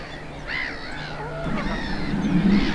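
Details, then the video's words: Greylag geese with young at Cotswold Water Park, Gloucestershire, 4 May 2022, give short, harsh nasal honks with a few higher upswept notes over about three seconds, against a low rumbling background. "Greylag Geese with young"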